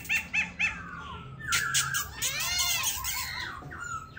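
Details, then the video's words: Captive silver-eared laughingthrush hanging onto its cage, giving three short arched notes, then a buzzy chatter and a run of quick looping whistles. "Khướu bạc má ôm cóng đẳng cấp"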